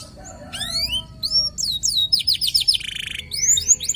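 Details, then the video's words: Local canary song used as a lure for training other birds: fast, loud series of sweeping whistled notes, some rising and some falling, with a short buzzy trill near the end over a steady low background hum. "PANCINGAN KENARI LOKAL GACOR"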